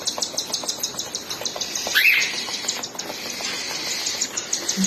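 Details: Baby cockatiels begging while their mother feeds them, a steady train of thin, high rasping pulses broken near the middle by one short rising whistled call.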